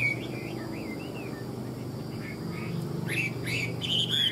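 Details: Caged tame Chinese hwamei with ngũ trường song, heard as soft wavering whistles followed by sharper, brighter slurred notes toward the end, over a steady low-pitched hum.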